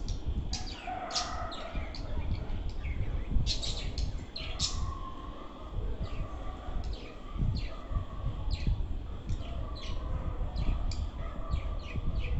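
Lovebirds give sharp, shrill chirps in quick bursts, several overlapping, over a steady low rumble of background noise.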